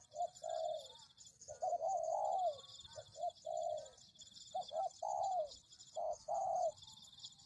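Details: Spotted dove cooing as a lure call for trapping: soft, low short coos followed by a longer rising-then-falling note, repeated every couple of seconds over a faint high hiss.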